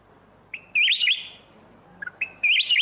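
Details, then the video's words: Two quick, looping whistled phrases by a black-crested bulbul, each led in by a short clear note, the second coming after a brief pause. "เสียงนกปรอดเหลืองหัวจุก (ສຽງນົກຫອນຫົວຈຸກ)"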